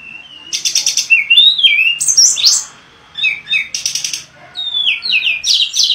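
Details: Mangrove blue flycatcher in a tumbling song: buzzy trilled notes mixed with looping whistled slurs and descending phrases, delivered in two active bursts separated by a brief lull.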